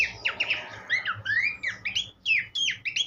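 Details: Horsfield's babbler singing, meant for tutoring cage songbirds: sweet whistled phrases that swoop upward and fall, delivered in quick separate bursts with brief pauses between them.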